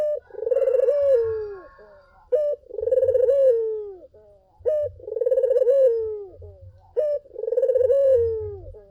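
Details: Persistent collared dove cooing, played to coax other doves into answering: four phrases, each a short sharp note then a long vibrating coo descending in pitch, spaced about two seconds apart over faint low hum.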